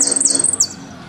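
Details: Argentine goldfinch in the 'golpe y pitadas' song style, giving a brief burst of rapid, very high notes that ends in two sliding downward whistles.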